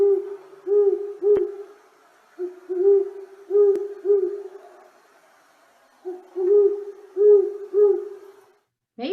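Great Horned Owl giving deep, soft hoots in rhythmic runs of several notes, three bouts with short pauses between, over a quiet background.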